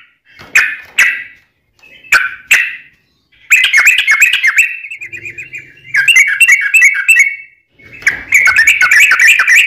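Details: Yellow-vented bulbul giving a long, unbroken 'ropelan' song used for tutoring birds and luring wild bulbuls: paired chirps, then bursts of rapid bubbly, warbling notes separated by short pauses, with a faint low hum in the middle.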